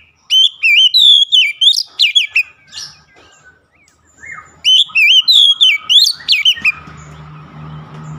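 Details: Rich whistled song of an Oriental magpie-robin, two vigorous phrases of quick, slurred, rising and falling notes, ending with a softer low rumbling noise in the background.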